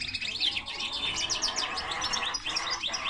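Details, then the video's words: Linnet and canary hybrid singing a fast, high twittering run of rising and falling notes, sweeping chirps repeated in quick zigzag bursts, with a steady low hum beneath. "Mixto de pardillo y canaria - هجين طائر التفاحي مع الكنار"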